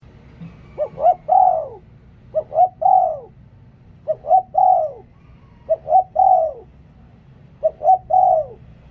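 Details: Spotted dove decoy bird singing: five repeated cooing phrases, each two short rising notes followed by a longer, drawn-out coo that slides downward, spaced roughly every one and a half seconds, with low background rumble.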